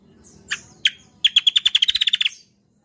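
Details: Kecial kombo, also called cucak kombo, singing a lively 'roll tembak' style song for use as a lure and song model for other birds: a few high notes, then a fast run of about twelve sharp chirps accelerating and ending abruptly.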